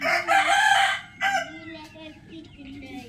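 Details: Rooster crowing in the morning, a loud raspy crow ending about one second in, followed by a short final burst, then faint talking in the background.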